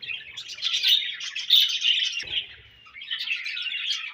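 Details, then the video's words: Budgerigars chirping: a dense, busy chatter of high twittering warbles and squeaky notes, nearly continuous, dropping away briefly past the midpoint with a faint low thump before the chattering resumes. "Budgies Chirping Sounds"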